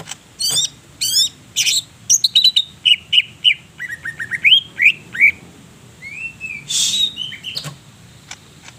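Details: Actively singing greater green leafbird, North Purwokerto, Banyumas: scratchy opening chirps, then a run of evenly spaced whistled notes dropping in pitch, rising slurs, a harsh squeak and a final upward whistle.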